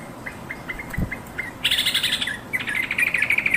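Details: Yellow-vented bulbul calling companions: scattered soft chirps, then a sudden buzzy rasp, followed by a fast run of clear, bright twittering notes to the end.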